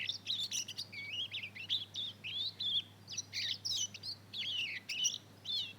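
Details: Two-month-old Mozambique canary and canary cross learning to sing, giving a continuous stream of short, high, wavering chirps and slurred twitters, each a fraction of a second long, over a faint low hum.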